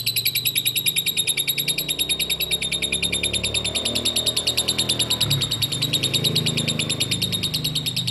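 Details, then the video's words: Lovebird singing, played to coax other lovebirds into song: a long, steady, rapid chatter of harsh pulsed notes, about three per second, running without pause over a low rumbling room hum. "LOVEBIRD SINGING"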